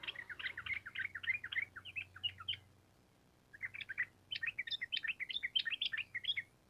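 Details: Two fast chattering runs of whistled notes from a sooty-headed bulbul singing gacor trucukan with long ropel, separated by a short gap, recorded fairly quietly over a low background hum.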